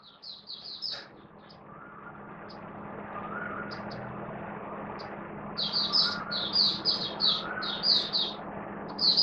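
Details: Oriental white-eye singing openly as a hobby bird, 11 September 2022: a few high twittering notes, then passing traffic rumble dominates before a later burst of bright, high, clustered warbles over the noise.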